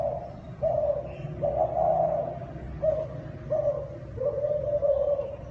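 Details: Cooing of a Thai spotted dove: repeated mellow mid-pitched notes, a couple drawn out and others clipped short, flowing in a run with small gaps, over a steady low hum.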